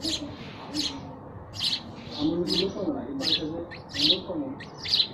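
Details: Chirping calls of sparrows: bright, clipped chirps in an uneven series, some in quick pairs, with a faint low rumble of voices or other sounds beneath.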